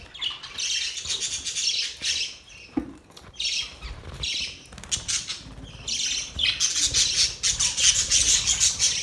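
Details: Happy budgerigars give stop-start chatter: bursts of high squeaky chirps separated by short quiet gaps, ending in a loud, sustained run of shrill twittering over the last three seconds.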